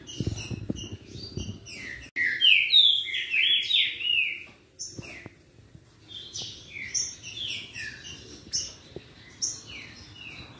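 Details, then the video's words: Green-winged saltator song meant to excite a rival bird into singing; loud descending whistled phrases in a dense burst, followed by scattered quieter notes and some low knocking at the start. "RACHA QUE ESQUENTA SEU TRINCA FERRO EM 5 MINUTOS!"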